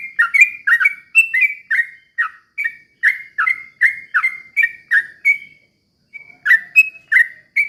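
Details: Sooty-headed bulbul in ropel pelan style, used as a lure to get other bulbuls singing. Rich whistled notes slurring downward come in a quick, even series, then pause briefly before resuming with higher, brighter phrases.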